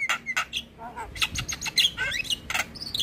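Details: Javan myna song meant for teaching young mynas: short harsh squawks alternating with bright whistled slides, quick and irregular.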